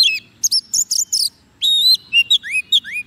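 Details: White-rumped shama raised on soft food singing to attract wild birds: harsh buzzy notes, a short pause, then a sustained ringing whistle and several quick rising slurs.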